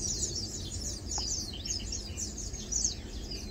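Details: Several lowland white-eyes chilling, feeding and preening utter dense overlapping high thin chirps and quick downslurred tweets over a low rumbling background.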